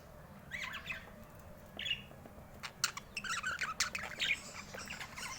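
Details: Pet budgerigar giving scattered, fast chirps and short squawky notes, loosest at first and then bursting into a busier chattering run, over a low steady background hum.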